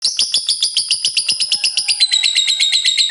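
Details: Lovebird in continuous chattering song, known locally as ngekek: rapid, shrill, metallic chirps repeated about four times per second in an unbroken run, a faint steady whistle in the background.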